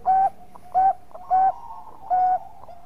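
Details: Active Bangkok-type zebra dove song used as a lure for other birds: four firm, level coos spaced about half a second to a second apart, with faint softer notes between and a steady background tone.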